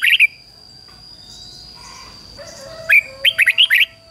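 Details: Red-whiskered bulbul used as a decoy for wild birds: a brief note, a faint lower call in the gap, then a lively phrase of five quick whistled notes, with a thin high tone throughout.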